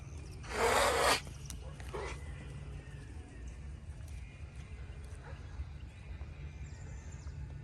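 An emu gives one loud, breathy hiss lasting about half a second, then a fainter short hiss. A steady low rumble runs underneath.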